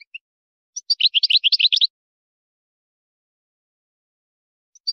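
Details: European goldfinch, Moroccan wiydani song for training young goldfinches and hybrids: faint opening chips, then a single second-long burst of rapid, tinkling twitter and a closing high note.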